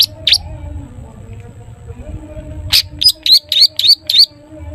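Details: Long-tailed shrike singing in a toet toet style, used as a lure to prompt other shrikes to sing; after two early sharp notes comes a run of five short rising whistled notes, with a faint low hum behind.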